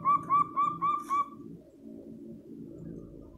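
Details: Local zebra dove calling to prompt other doves to join in: five quick soft mellow coos in an even run lasting just over a second, then only low steady background rumble.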